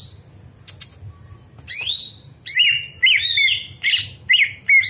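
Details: Night singing of a greater green leafbird, recorded to train other birds: after quiet clicks, loud upward-sweeping whistles and buzzy warbled notes come in bursts, over a faint steady high tone and low hum.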